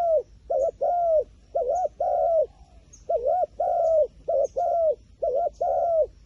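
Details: A wild pigeon, called smart and shy of a phone camera, coos in a steady rhythmic series. Short paired notes are followed by longer drawn coos, and the phrase repeats roughly every second for six seconds.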